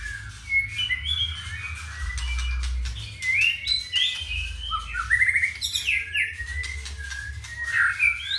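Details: White-rumped shama, a ringed caged bird with a 31 cm red tail from Purworejo, delivers varied whistled phrases with rising slurs and quick chattering flourishes, over a continuous low rumble.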